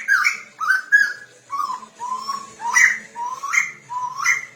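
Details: Chinese hwamei singing in a tutor recording meant to make a bird sing: a series of separate upslurred whistles, each rising sharply at the end, spaced roughly every half second to a second.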